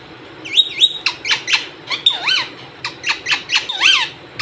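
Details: Parrot making a run of short squawky, warbling sounds with rising and falling slurred tones, several bursts every half second or so, indoors in a small room.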